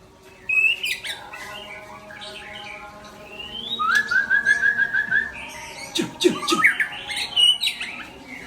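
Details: White-rumped shama (Murai Aceh) singing a powerful, varied song: bursts of sharp whistles and chips, a rapid rolling trill near the middle, then more loud whistled and buzzy phrases with short pauses.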